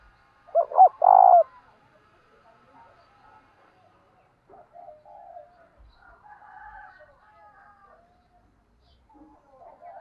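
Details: ['Decoy spotted dove used for luring wild birds: one loud burst of coos near the start, then only faint, scattered low sounds for the rest.']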